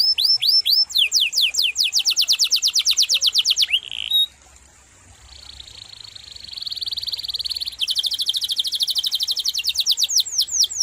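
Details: Canary in full gacor song with long, sharp, rolling variations: rapid slurred notes, a brief pause, a sustained high buzzy roll, then fast repeated notes resuming.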